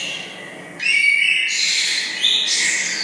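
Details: Lovebird giving loud, harsh, rasping screeches in two long bursts, the first starting abruptly and the second rising in intensity, with a quieter thinner note before them.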